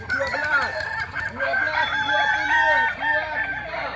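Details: Native Kokok Balenggek rooster from Solok, West Sumatra, crowing a long run of short arched, harmonic-rich syllables in quick succession, rising and falling like stepped notes.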